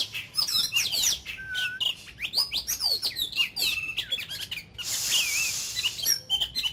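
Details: Caged Oriental magpie-robin kept as an ornamental bird, singing during daily voice training meant to fire it up: a dense, varied run of high, sharp whistles and chirps, rapid slurred notes and harsh buzzy bursts, with a steady low whistle briefly.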